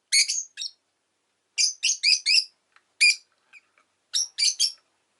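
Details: Rosy-faced lovebird, a pet orange bird, recorded just before its death: short raspy chirps given singly and in quick runs of three or four, separated by brief silences.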